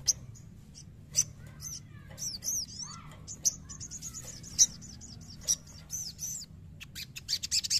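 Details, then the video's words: Sogon bird, wild-caught, provoked to sing: high thin whistled and looping notes with sharp chips, short bursts spread through the clip over a low steady hum. "PANCING EMOSI SOGON"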